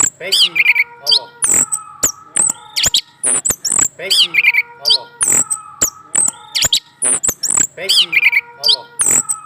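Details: Caged male orange-headed thrush singing after a female is placed beneath his cage: loud, varied phrases of sharp clicks, rising and falling whistles and high trills, with a similar phrase sequence repeating about every four seconds.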